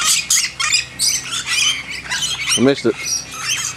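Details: During backyard hand-feeding, lorikeets keep up dense, rasping high squawks in a continuous chatter, with a short human voice near the end.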